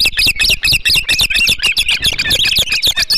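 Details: Hog Island ospreys at the nest with a large flounder, morning of 21 July 2016: dense, hurried, overlapping squealing chirps, shrill and ragged, crowded into about three seconds amid clattering background noise.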